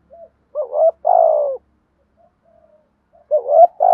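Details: Spotted dove used as a decoy to train and rouse wild birds. Two coo phrases, each a brief upward note followed by a drawn-out falling coo, separated by a near-silent pause.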